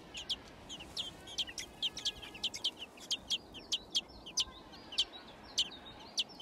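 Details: Nestling thrushes, six in a nest found in a garden, calling as they are fed: irregular series of piercing high cheeps, about two per second, some paired, over faint background hiss.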